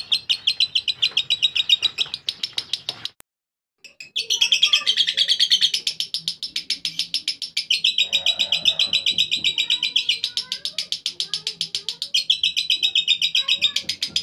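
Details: Extended lovebird ngekek: very long, even bursts of rapid high chattering, one stopping briefly before resuming, the later runs stretching several seconds each, with faint murmuring in the background.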